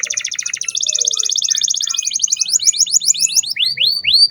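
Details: Canary song used as a lure to train young canaries: fast buzzy trills around 4–6k, shifting into repeated upward-sweeping whistled notes near the end.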